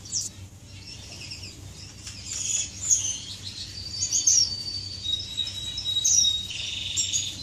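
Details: Finches flirting in an aviary, 10 May 2015: scattered high chirps build into louder twittering, with long thin whistled notes and a closing buzzy phrase, several birds overlapping above a faint low hum.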